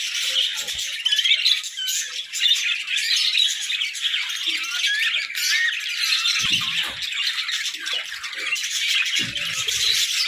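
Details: Many budgerigars in their hut chattering nonstop, high twittering and squeaky warbles layered into one continuous wall of sound, with a few brief low knocks.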